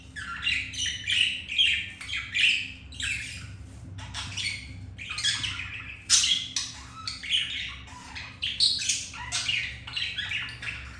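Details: Budgerigars mating in captivity, the male mounting a hen after a white-grey female refused him; lively chattering warble of quick chirps and harsh notes in bursts, steady hum in background.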